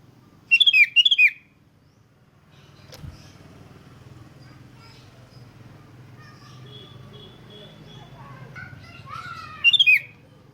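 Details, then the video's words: Sooty-headed bulbul song used as a lure to make other bulbuls sing: two bursts of loud, bubbly, rising-and-falling whistled notes, one early and one near the end, over steady low traffic-like rumble. "100% RANGSANGAN SUARA ASLI KUTILANG"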